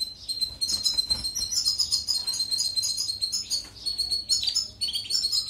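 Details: European goldfinch, a song recording for training canaries: a dense, unbroken stream of high, tinkling, rapid twittered notes with slight pauses and a few louder chirps.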